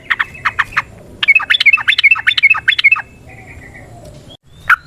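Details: Yellow-vented bulbul in a natural setting, singing its long rapid lure song meant to stimulate caged birds: spaced sharp notes, then a bubbling run of quick warbled phrases, fading into quiet with one last call.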